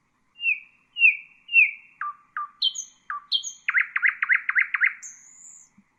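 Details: Nightingale singing, recorded as a model for bulbuls and songbirds to learn from: three descending whistles, lower clipped notes, then high sharp notes and a fast run of six looping repeated notes ending in a high whistle.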